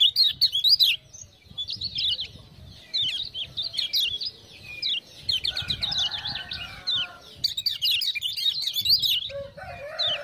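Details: Lemon-bellied white-eye, Lombok, stirred into continuous song by ciak-ciak sounds: a long run of fast, high, thin chirps and trills, broken by brief pauses, with some lower sustained tones late on.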